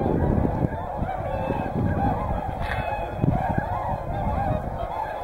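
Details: Flock of whooper and tundra swans at Hyoko lake, Niigata, between morning and evening, keeps up a steady mass of trumpeting honks from many birds. A low rumbling background, likely wind or water, sits beneath.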